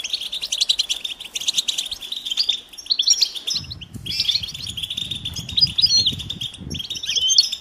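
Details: European goldfinch mating calls to stimulate males to sing: steady high twittering with thin whistled notes; a low rumbling background starts midway.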